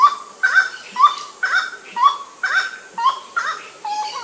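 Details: Grey-cowled wood rail heard at night: a steady run of loud, hoarse honking calls, paired and slightly upslurred, about two per second, ending in a lower, flatter note, over quiet background hiss.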